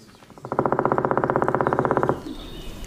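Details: Black woodpecker drumming on a tree in a forest, territorial marking rather than digging or feeding, audible from far away; one fast, even roll of about thirty strikes lasting about one and a half seconds, then silence.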